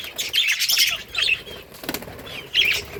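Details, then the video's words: Budgerigars playing in a colony, August 25, 2023: brief bursts of high, scratchy chirps and warbled notes separated by short quieter gaps, with some soft rustling. "budgies beautiful colors playing and chirping sounds"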